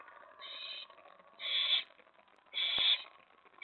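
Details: Nest of owls after midnight on 24 May 2017, during prey deliveries of a mouse and a rat. Quiet rasping swells into loud, hoarse hissing screeches about once a second.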